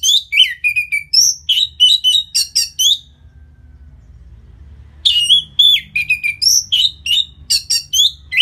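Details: Orange-headed thrush song used as a lure to excite a bird after moulting, from Singaraja, North Bali: two long bursts of varied, fast, high chirps and slurred whistles, separated by roughly two seconds of quiet.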